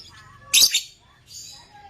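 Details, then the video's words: A parblue African lovebird gives a loud, harsh, high chirp, then a softer, scratchier chirp about a second later; nothing else stands out. "Love birds chirping"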